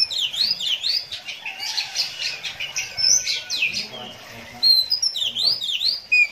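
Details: Oriental magpie-robin singing in the fast, rapid-fire konslet style, ngeplay, in a mechanical battle manner: dense bursts of high whistles, sweeping slurs and sharp chips tumble rapidly over one another, with brief pauses, then resume with bright rising notes.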